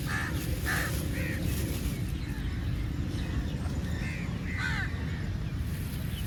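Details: Rasping caws from crows feeding together, in short spaced bursts early on and again near the middle. A heavy low rumble runs throughout.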